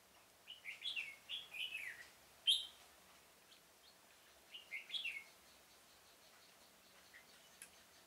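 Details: Red-whiskered bulbul decoy singing beside a trap in a pomelo garden on 25 October 2017 to attract wild birds. Groups of three or four cheery, looping whistled notes come in two bursts, with a high sharp note between them.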